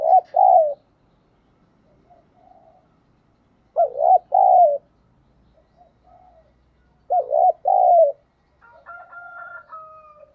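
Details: Spotted dove lure, thổ-style voice, cooing to provoke a response: three double-note coo phrases about every three and a half seconds, faint murmurs between, and a steady whistled tone near the end.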